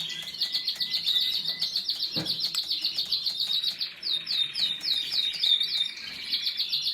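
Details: Canary song opening with a fast string of repeated chip notes, then a series of rapid downward swept syllables and a brief rolling trill, delivered in an unbroken high-pitched stream.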